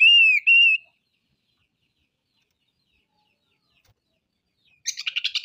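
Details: Oriental magpie-robin in full song, unloading its repertoire of rough notes: two clear whistled notes dipping then rising, then after a pause a rapid burst of harsh, scratchy repeated notes.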